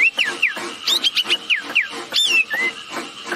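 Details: Wambi birds, female and male, calling busily as a lure for other birds: a run of short slurred whistles dropping in pitch, then a longer falling whistle and a brief rising note.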